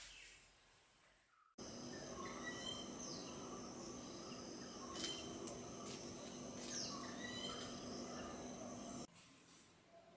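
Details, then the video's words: Bee-eaters give short, rolling trills about twice a second over a steady hiss, with a high insect-like whine and a few sharp clicks. "BEE EATER BIRD SOUND|VOICE|CALL|SONG|صوت الورور|burung pemakan lebah"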